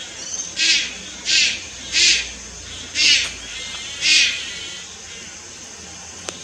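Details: Malayan night heron fledgling recorded 30 July 2022 at Lugu, making five coarse, raspy bursts at a steady pace, then falling silent; a faint click near the end.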